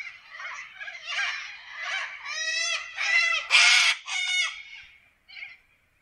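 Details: Corellas calling in forest in Australia, a loud sequence of harsh, strongly harmonic screeches that build in intensity toward the middle, then a short final squawk after a brief pause.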